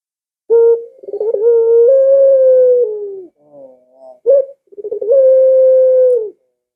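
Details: Barbary dove call used to lure pet doves into calling: low hooting coos, long level drawn-out notes introduced by a quick stuttering roll, with short rising notes between phrases.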